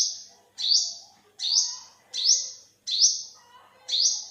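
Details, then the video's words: An olive-backed sunbird, recorded in 2021, calls with five bright rising notes over four seconds. Each is a quick upslurred, sibilant chip with a short tail, at slightly uneven gaps. Soft lower twitters are underneath. "เสียงนกกินปลีอกเหลือง Olive-backed sunbird, Yellow-bellied sunbird"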